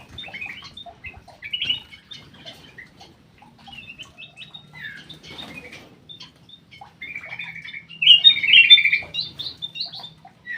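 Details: Captive black-crested bulbul in an aviary, with mostly quiet, scattered chirps and faint rustling, then a loud warbled whistled phrase near the end.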